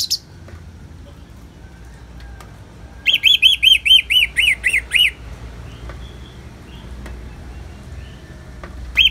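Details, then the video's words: Ngeplong song of an Orange-headed thrush over rain sounds: about nine arched, ringing whistled notes repeated evenly for two seconds after a quiet stretch, a single note at each end, faint steady background hiss. "Terapi ANIS MERAH Ngeplong dan Suara Hujan ALAMI"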